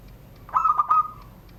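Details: A kept zebra dove of Serang, Banten, Indonesia, voicing the classic 'surung gdor' style: a burst of three or four fast, clicky coos merging into a mellow sustained tone that slowly fades.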